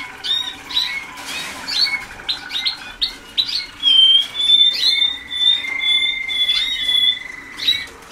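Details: Young Waterslager canaries in song training, only days into the work in 2010, moving from quick clipped chirps to long, level, pure whistled notes held for several seconds, over a soft indoor hum.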